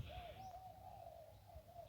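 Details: Zebra dove cooing along the Ping riverbank in Lamphun, Thailand, in the khu ang singing style, during decoy luring of wild doves; a steady run of soft, rounded, hollow mid-pitched coos with brief rolling notes, faint higher chirps behind.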